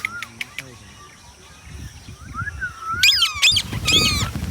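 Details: A pet ringneck (rose-ringed) parakeet gives harsh, grating squawks in quick bursts near the end, after a few sharp clicks and chirps, over a low background rumble.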